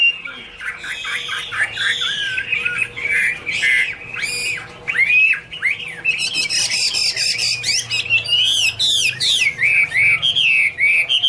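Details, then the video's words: Chinese hwamei in full song: a continuous stream of varied whistled phrases, looping slurred notes mixed with sharp high upswept notes and quick repeated figures, rich and almost unbroken throughout. "Birds Garrulax canorus: Singer yellow mouth - wonderful birdsong"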